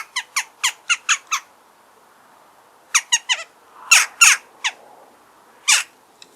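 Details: Wild Eurasian jackdaw calling outdoors: a rapid string of six clipped, metallic 'kya' notes, then a brief pause, a short triplet, and several louder, harsher squawks spaced irregularly.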